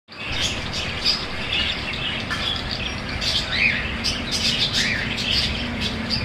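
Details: Budgerigars chattering together, a dense mix of short squawks and warbled chirps overlapping continuously, with several birds calling at once over a steady low background hum.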